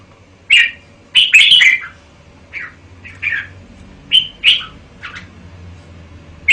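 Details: Red-whiskered bulbul with sharp, lively warbles, a strong burst early, then scattered shorter chirps separated by brief silences against a faint low hum.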